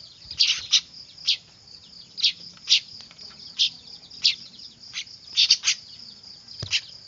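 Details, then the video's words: Weaver chicks calling noisily, a sound used to lure birds: thin, high, piercing chirps in irregular bursts, some in quick pairs, with a steady high background tone. "Suara anakan burung manyar ribut cocok buat pikat"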